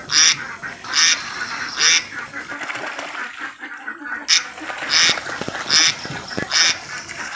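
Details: Assam village ducks playing in water give loud harsh quacks in a regular series about every 0.8 seconds, pausing briefly mid-clip where softer splashing and murmuring fill the gap before quacking resumes.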